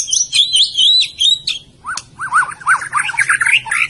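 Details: A Medan-type white-rumped shama sings high, wavering warbles, followed by a quick run of lower rising-and-falling notes repeated in a bouncy series.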